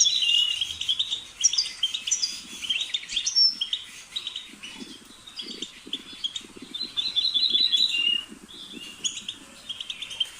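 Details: Fast, chattering goldfinch song of jumbled tinkling and twittering notes, continuous and lively, with soft low fluttering sounds, possibly wing flaps, in the background.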